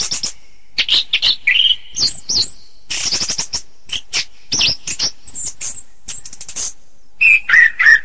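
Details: Varied orange-headed thrush masteran song, with dense bursts of scratchy, high notes and twittering trills separated by short gaps, ending in louder downslurred whistles.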